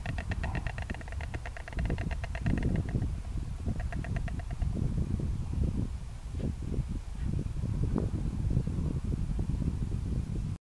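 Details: A pair of White Storks dancing in their nest on a church at Oltingue, France, in March 2015, clattering their beaks: rapid wooden rattling bursts for about three seconds and again briefly, over heavy wind rumble.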